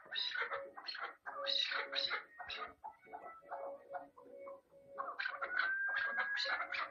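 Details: Chukar partridge calling in fast, uneven bursts of grating chuck notes, close to three per second, with a brief pause and then a louder, rising outburst that includes a faint thin whistle.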